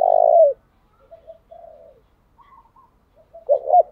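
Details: Caged decoy spotted dove calling repeatedly to attract wild birds; one strong drawn-out low coo, a series of soft muted notes and slurs, then two short emphatic coos closing the phrase, nothing else audible.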